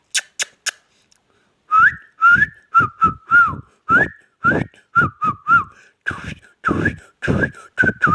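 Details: Talking ringneck parrot: three sharp high clicks, a pause, then a quick run of whistled syllables with upturns and dips, almost two per second, becoming rougher and noisier toward the end.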